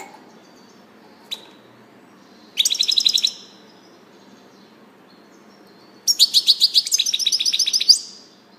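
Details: European goldfinch giving two short bursts of high, rapid twittering, each about a second long and separated by a few seconds of quiet, with one brief isolated chip note before them.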